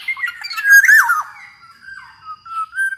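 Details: Black-naped oriole (kepodang emas), its voice offered as a tutor and lure to get other orioles singing: squawky, harmonic-rich notes with a descending slur, then softer, level, fluty whistles trailing off.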